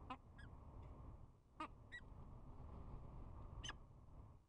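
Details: Peregrine falcons bowing in spring courtship at a nest camera, giving brief harsh chupping notes in twos and singles, separated by pauses, against constant low background rumble.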